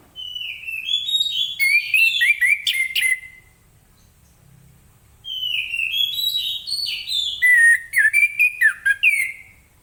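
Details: Lemon-bellied white-eye (anis kembang ngeplong) singing in the morning, used to prompt other birds to sing: two bursts of high, clear whistled phrases, descending then jumbled warbling notes, separated by a quiet pause of about two seconds.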